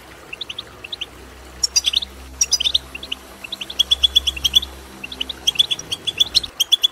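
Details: Goldfinch calls played to encourage a goldfinch to sing: lively bursts of crisp, high chirps, trilled runs of five to eight notes separated by short gaps, with a soft background hum.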